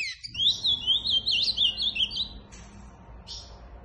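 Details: Ultramarine grosbeak delivering a short burst of quick, high, wavering warbled notes lasting about two seconds, followed by near quiet with a couple of faint noises.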